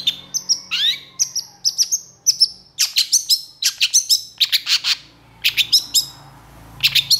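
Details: Long-tailed shrike (cendet, pentet) in vigorous 'gacor emosi' song: it opens with slurred whistles, including one falling note, then shifts into dense, rapid sharp chirps and harsh notes in quick groups.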